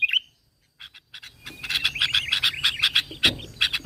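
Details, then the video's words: Sooty-headed bulbul lure song meant to call out other bulbuls. A lone whistled note and a few scattered chirps lead into a quick, steady string of buzzy notes mixed with clear whistles. "PANCINGAN KUTILANG GACOR SUARA ASLI TANPA ISIAN 100% AMPUH MEMANCING BUNYI"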